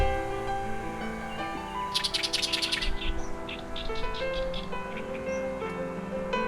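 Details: Oriental reed warbler in breeding season courting in reedbed wetland beside Gyeongpo lagoon, Gangneung, Korea, with a hidden mate answering; a quick burst of harsh chattering notes, then scattered squeaky phrases, over steady orchestral music.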